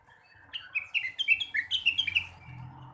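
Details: Blue-winged leafbird singing in the morning: a fast, rich warbled phrase of slurred whistles jumping up and down, lasting under two seconds, over quiet low background hum.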